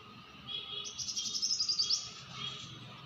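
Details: Small bird giving a thin, high chirping trill that rises in loudness and then fades over about a second, with soft background noise.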